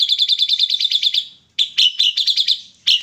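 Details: White-eyed ashy drongo in full song with kapas tembak mimicry: a fast, even trill of about a dozen bright notes fades out, then after a pause clipped chirps and a quick burst resume.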